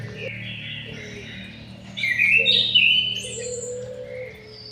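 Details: Aviary-kept white-rumped shama: short low whistles and high, scratchy warbled phrases, loudest in a rich burst midway, with a faint low hum running underneath.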